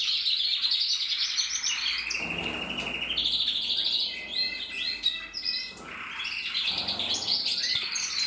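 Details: Red-black mosaic canary, a male from a Loisach valley breeding stock, 2024, singing varied high phrases: fast trills, clear whistles and chattering runs, with brief dips in loudness and a slight drop near the middle before resuming strongly.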